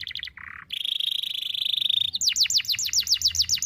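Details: A canary's training song for young canaries: a few quick chirps, a low buzzy note, a sustained high rattling trill held for over a second, then a string of loud down-swept whistles.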